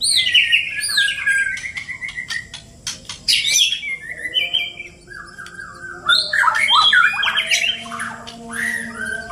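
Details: Two Bornean white-rumped shamas from Indonesia fight. Loud, varied song of high sweeping whistles and rapid trills, broken by sharp clicks and snaps, with a longer warbled passage near the end.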